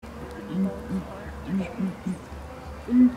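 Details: Two southern ground hornbills calling at twilight, flicking their tails as they give deep, hollow booming notes in an uneven, rhythmic series, a few every second, over a low steady hum.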